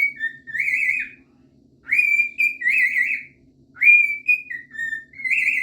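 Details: A cockatiel singing in a bathroom whistles in clear, sliding phrases that rise and fall, with a faint hum underneath.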